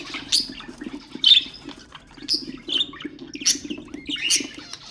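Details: Pet budgerigar song used to encourage other birds to sing: separate squeaky chirps and short warbles, about one every half second, some with rasping clicks, over a faint low background hum.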